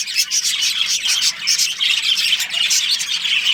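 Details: Colony of budgerigars, including a breeding pair, chatter nonstop: busy high-pitched twittering and chirps overlapping in a steady dense stream, with no pauses and no other clear sounds.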